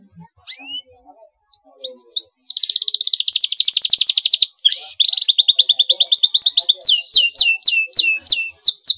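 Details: Canary singing to provoke a rival bird to answer: a few scattered rising chirps, then a long rapid rattling trill, a second fast trill, and a run of sharp upswept whistled notes repeated quickly to the end.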